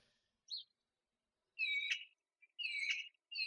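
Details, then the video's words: A fully fledged female Eurasian magpie begs outside the nest during breeding, shivering outspread wings, and the male comes to feed her: a short squeak, then harsh high whining calls of about half a second, repeated with gaps. "Full-fledged female begging outside the nest"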